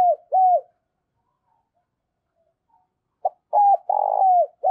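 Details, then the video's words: Spotted dove kept as a lure bird for trapping, cooing: two quick mid-pitched coos with a slight downward curve, a silent gap of about two and a half seconds, then a burst of four coos, one rougher and throatier. "Chim Cu Mồi/ cu gay kich boi nhanh noi gù mới nhất"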